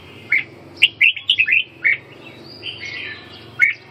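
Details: Red-whiskered bulbul calling: a quick run of bright, chirpy whistled notes, some slurred, clustered in the middle of the clip, then a pause and one final sharp note, over a quiet low hum.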